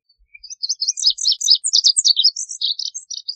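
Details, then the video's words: Lazuli bunting singing a long, lively series of high warbled notes that jump in pitch, over three seconds of steady chirping with no other sounds. "Lazuli Bunting Song! Lazuli Bunting Call! Sound!"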